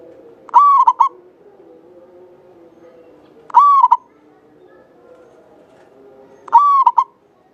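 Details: Three song phrases, about three seconds apart, from a local Javanese zebra dove, a keen singer used as a lure bird for its long, clear voice. Each is a smooth, sustained coo with two brief notes tacked on, over a soft hum.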